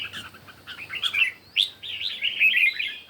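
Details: Red-whiskered bulbul competing in morning song, a few quick chirps followed by a sharp note and a fluent, rolling warbled phrase.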